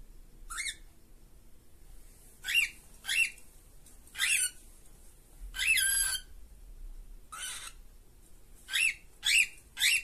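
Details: Two cockatiels in a cage call irregularly with shrill, scratchy notes, some single and some in quick pairs, one longer wavering squawk in the middle, about ten calls in ten seconds.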